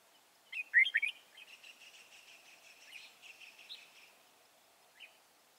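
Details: Wild red-whiskered bulbul at Chùa Hương, caught in a trap on 24 March 2018, singing a loud warbled phrase that trails into a long run of softer chattering twitters, ending with one short note.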